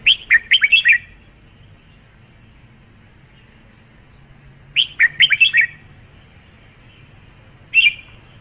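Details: Red-whiskered bulbul song: two bursts of five or six quick, bouncy whistled notes about five seconds apart, then a single note, clear over a quiet background.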